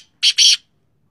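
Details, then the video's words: Sindhi black francolin, a top-quality bird kept for its call: two harsh, buzzy, high-pitched bursts in quick succession, the second longer, in a quiet setting. "Top Quality Sindi Kala Teetar Ke Awaz"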